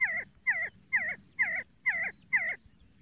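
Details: Six close, loud See-see partridge notes, each a curling double tone dropping then rising, spaced about half a second apart, very regular, with little background.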